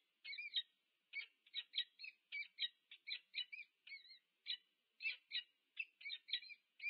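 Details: A pair of peregrine falcons meeting at their nest at UC Berkeley, USA, captured on nest cam on 2 November 2022; near-continuous excited chatter of grating, wavering notes delivered in fast succession.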